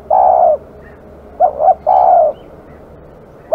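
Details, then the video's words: Fierce-natured village spotted dove: a long, low, smooth coo, a pause, then a quick double note and another drawn-out coo. "burung terkukur kg galak"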